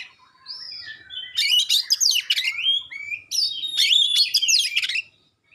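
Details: Oriental magpie-robin in sharp, clear song used to provoke other magpie-robins; a soft whistled opening, then two dense bursts of fast, high, twisting chirps and slurred whistles.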